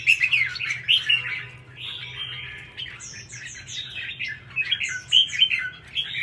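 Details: Red-whiskered bulbul, a kept songbird, singing bright warbled phrases of whistled and chattering notes, with loud bursts near the start and again after five seconds, separated by quieter rambling notes.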